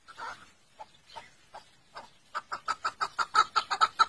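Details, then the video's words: Partridge perched on a rock, calling heartily: a few spaced, hoarse clucks, then a fast chain of loud, regular chuck notes repeated about five times a second, heard from a played-back recording. "bu kekliğin Sesini çok beğendim Umarım siz de beğenmişsinizdir şimdi videoyu oynatıyorum [Kahkaha] bu kekliğin"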